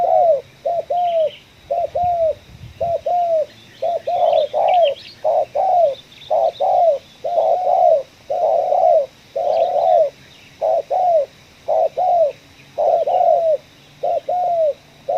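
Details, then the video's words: Spotted dove in a coffee field during a trapping session, calling ngeruk style, kuk 1. A long run of rhythmic paired coos comes nearly every second, with brief rustles and distant chirps behind. "target kita tekukur suara ngeruk, kuk 1"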